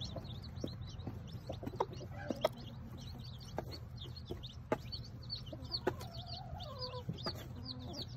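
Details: Ten newly hatched chicks of a small bantam Sebright hen, kept on a hobby farm, peep constantly in high, quick notes. The mother adds occasional soft clucks against a low background hum.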